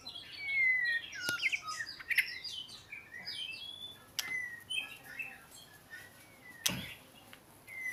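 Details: Oriental magpie-robin delivering a varied song of short whistled notes and slurred sweeps, broken by sharp clicks and a loud snap, with quieter chirps continuing throughout.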